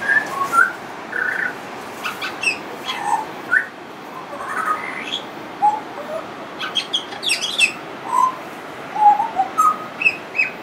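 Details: Pied butcherbird in long continuous song with mimicry: scattered pure whistled notes and quick slurred phrases mixed with brief higher twitters and chirps, against steady background hiss.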